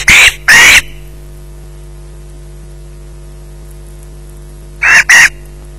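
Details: Osprey in possession of a fish at a Loch Garten nest: two paired harsh squeals, a long quiet gap with low hum, then another close pair of rasping screeches.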